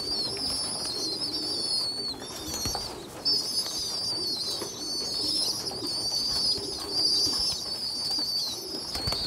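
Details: Young pigeons, where a poorly developed chick feeds larger well-grown youngsters; loud sustained high whistles with wavering pitch dominate, briefly breaking off, over faint low cooing.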